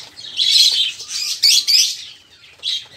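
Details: Busy budgerigar chatter used to coax caged songbirds into song; loud scratchy warbling phrases with bright squeaks, a brief pause, then a final short burst.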